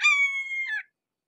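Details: Red-shouldered hawk, approached at close range, giving one long, steady, strained scream that holds level and then drops sharply at the end, clear against a silent background.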